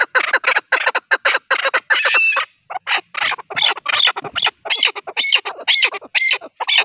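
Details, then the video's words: Male partridge call for hunting: harsh, rapid chuckling notes repeated about two or three times a second in rhythmic bursts, some with a ringing upper tone. "Avcılık için erkek keklik sesi | Ov üçün erkək kəklik səsi | partridge call for hunting"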